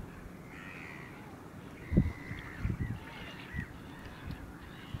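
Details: Caspian gull, 9 March 2016, giving a few drawn-out, nasal, mewing calls at mid pitch, partly masked by low wind rumble and knocks.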